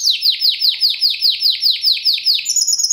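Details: Fast, metallic, strong Timbrado Español canary from 2013 with distinctive song phrases, delivering loud ringing downward sweeps repeated about four times a second, then switching to a higher, tighter trill.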